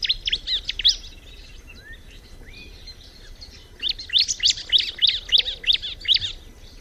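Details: Bar-winged prinia singing a quick run of high chirps, pausing for a few seconds with faint soft notes, then a louder, evenly repeated series of sharp tweets.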